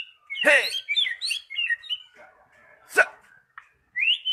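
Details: Magpie-robin used as a lure for a silent bird to start singing again. Loud harsh rasping bursts mixed with quick whistled and chattering notes, then a fading low chatter and a final rising whistle.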